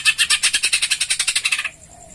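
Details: Greater green leafbird, known as cucak ijo, singing sparrow-style notes to prompt other birds to sing: a fast, harsh chattering rattle of about ten notes per second, lasting under two seconds and then stopping abruptly.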